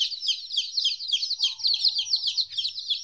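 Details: Chicks at 14 days old, separated from their mother for the first time, peeping rapidly in shrill falling notes, many overlapping, with a faint low hum midway.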